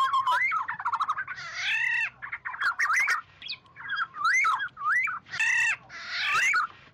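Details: Oriole calling to gather its flock, used as a clean lure: rolling fluty whistles broken by several long, grating, nasal squawks, repeated through the stretch.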